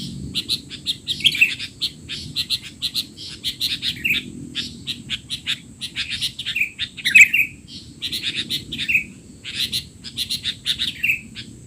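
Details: Sustained noisy chatter of a sooty-headed bulbul, used as a tutor for untrained young bulbuls: long series of rapid chirps grouped in bursts, punctuated by slurred, downward whistles, over a steady high hum.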